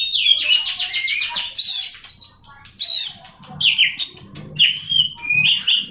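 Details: Oriental magpie-robin (kacer) pouring out fast, high buzzy trills and sharp whistled slurs in several bursts, with a faint low rumble underneath.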